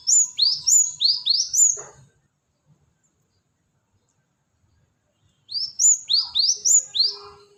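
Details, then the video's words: Cinereous tit call used as a lure: two bursts of five or six high, bright upward-sweeping chips in quick succession, separated by about three seconds of silence. "Pancingan Suara pikat Burung gelatik batu"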